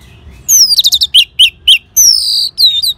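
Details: Song of an orange-headed thrush from Bali, prompted by a lure sound: a rapid series of very high chirps, three ringing notes, then a long loud whistle sliding downward and a short final slur.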